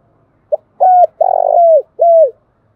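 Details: Close morning cooing of a spotted dove used as a decoy for wild doves: one phrase of a brief note and three coos, the middle drawn out and throbbing, the last one descending.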